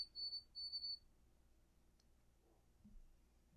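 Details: White-throated sparrow (Zonotrichia albicollis) song in eastern woodland, the "oh sweet canada canada" pattern: two clear, pure, high whistles, the second longer with a slight waver, then a faint low thump; otherwise quiet.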